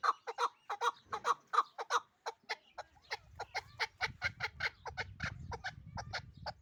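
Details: Pamir chukar partridge in Dushanbe giving loud, repeated clucking chuk notes in a quick rhythm, with low rumbling background noise in the second half.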